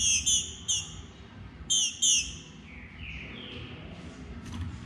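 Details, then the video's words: A female green-winged saltator soliciting mating gives short, high, slightly falling chips in pairs, then softer thin notes. "Fêmea de trinca ferro curruchiando e pedindo gala"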